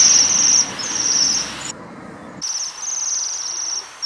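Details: Waxwings feeding on rowan berries give a continuous very high, thin, metallic sibilant trill, a ringing shimmer that runs on with barely a pause, over a faint low rumble.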